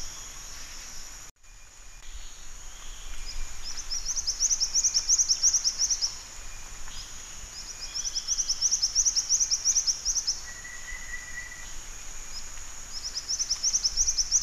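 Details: Jingjing batu, the black-winged flycatcher-shrike: repeated bouts of rapid, high, twittering chirps roughly every four seconds, over a continuous high insect drone, with a short flat whistle near the end.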